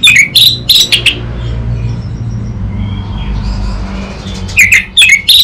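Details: Orange-headed thrush master song: bursts of rapid, bright, chattering notes open and close the passage, separated by a quieter stretch of faint warbling and low rumble.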